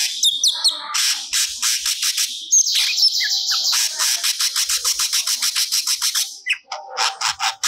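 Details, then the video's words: Cucak cungkok, a songbird in full song, delivering stored song material: high chattering notes, then a long run of rapid buzzy pulses repeated about twice a second, ending in sharper scratchy bursts. "Burung Cucak Cungkok Gacor Muntahkan Materi Yang Di Simpan"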